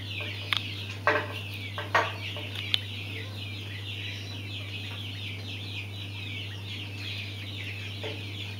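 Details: Mountain quail chicks cheep steadily in a high, overlapping chorus. Four or five louder knocks or taps sound near the start, and a low mains-like hum runs throughout.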